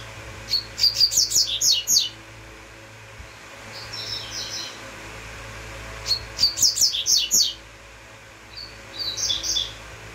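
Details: Double-collared seedeater song in two rounds, each a fast string of piercing high notes followed a couple of seconds later by a softer, buzzy chattering phrase; a constant low background hum.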